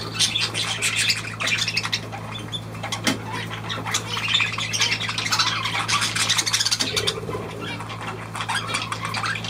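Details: Several budgerigars, dated 23 June 2023, keep up dense scratchy chattering with sharp squawks and rapid chirps, over a persistent low hum.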